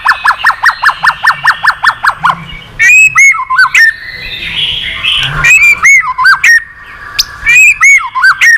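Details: Excited white-rumped shama in competitive song with continuous tail wagging: a rapid train of about ten sharp, evenly spaced notes, then loud looping whistles and twisted, slurred phrases.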